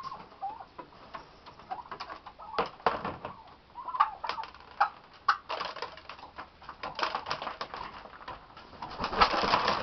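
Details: Wild turkeys being fed on a property in Idaho on a foggy morning give soft, low clucks and brief rolling purrs, scattered irregularly among sharp pecking and scratching sounds.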